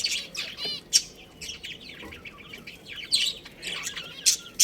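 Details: Breeding pair of budgerigars giving rapid, high chirps and warbling chatter, mixed with sharp broadband clicks and bursts spread unevenly across the few seconds.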